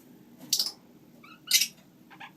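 Lineolated parakeet giving three short, squeaky chirps, each under a quarter second and about a second apart, high and harsh, against a quiet room.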